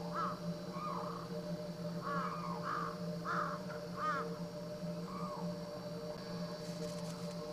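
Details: Captive black-necked crane at the Akan International Crane Center, Japan, recorded January 8, 2006: short trumpeting, arching calls given in irregular bursts, some doubled, over a steady low mechanical hum.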